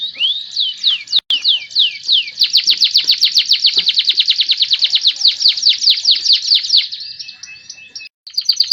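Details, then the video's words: Loper-style canary song, one of fourteen song variations: fast, even trills of rising and falling whistled notes repeated about twice a second, running several seconds. "14 variasi suara burung kenari loper"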